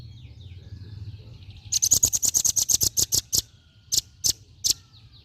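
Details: Female velvet-fronted nuthatch bursting into a fast chattering run of about fifteen sharp high chips, then slowing to a few spaced single chips, over quiet low background noise.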